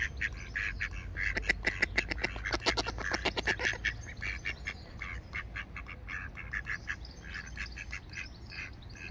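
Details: Two mallard drakes and one hen quack back and forth at each other in quick, nasal bursts, busiest early then looser, scattered chatter; Oxford Botanic Garden, 8 July 2021.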